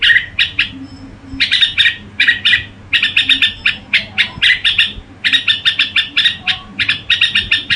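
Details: Red-whiskered bulbul's gù-style singing: spaced sharp notes at first, building into rapid chattering clusters repeated steadily, bright and scratchy, over a faint low hum.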